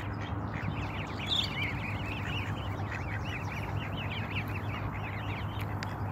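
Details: Canada goose family with babies, the stressed adult nipping them: a busy stream of thin, arched peeping notes repeated several times a second, over a steady low rumble.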